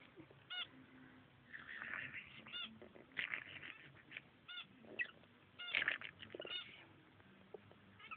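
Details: Two pet lovebirds, a female and a male, fooling around by their nest: a steady stream of high, raspy chirps, twittering and short squeaky trills, irregular and overlapping, moderately soft throughout.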